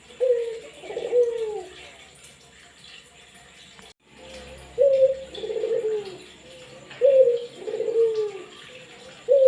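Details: Barbary dove calling actively, recorded to prompt silent doves to join in: a short clear note followed by a lower, rolling, descending coo, repeated in about four phrases with a brief pause midway, over faint steady background hiss.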